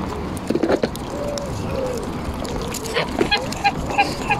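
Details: Embden geese being petted and fed at Longton Park, Stoke on Trent, on 18 July 2022, giving a mix of short nasal honks and sliding mid-pitched calls, irregular and overlapping, with a person talking nearby.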